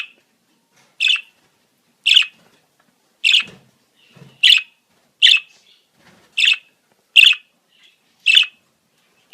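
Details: Budgerigar mating-season calls: sharp, bright chirps repeated roughly once a second, each short and high, with faint low rustles between them in an otherwise quiet room.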